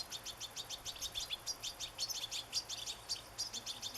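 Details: European goldfinch singing in nature: fast, steady stream of high tinkling, buzzy notes repeated several times a second, over a hissing background.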